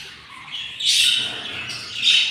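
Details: Short, rough, hissing squawks from hungry budgerigar chicks in a nest kept by a yellow pair, day 7 after four eggs hatched: two loud raspy bursts after a quieter start.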